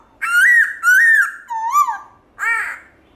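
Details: Black-throated laughingthrush, loud wild-style song for exciting caged birds: two long, full whistles that arch gently, a shorter rising-falling note, and a final rich, harsh-edged note.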